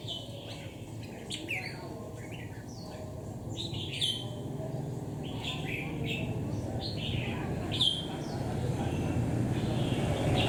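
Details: Wild-caught red-whiskered bulbul, caged for ten days and called bold and tenacious; a lively run of short chirpy whistled phrases, several per second at times, with low rumbling background noise growing louder toward the end.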